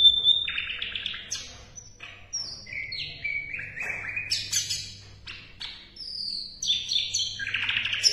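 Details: Song of an Asian brown flycatcher, kept as training material for competition songbirds: lively high-pitched phrases of stepped whistles, quick descending slurs and scratchy bursts in a continuous varied stream over a faint background hum.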